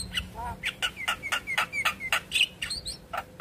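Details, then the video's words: Javan myna singing as a lure to make a silent myna sing quickly and nod; a steady run of short, slurred squeaky notes about four per second, some harsh and buzzy, over a faint hum. "Pancingan Jalak Kebo Macet Bunyi Ampuh Bikin Cepat gacor Manggut2"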